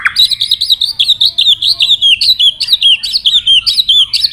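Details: White-rumped shama, long-phrased training song with many forest voices. A fast, steady string of high chattering, warbled notes, about two or three each second, continues without a break.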